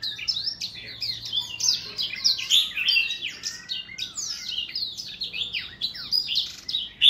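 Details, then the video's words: Sustained jumbled song of an older black-throat, a stream of high, sweet twittering notes and slurred whistles, rising and falling without a break. "Older Black-throat singing ~ 老黑喉燕歌唱"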